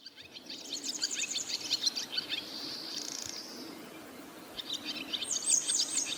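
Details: Barn swallows calling on a rooftop in northern Harima, central Hyogo, Japan, heard on a birdwatching walk: dense, high twittering chirps and scratchy buzzy notes in quick runs, with a brief higher trill near the end.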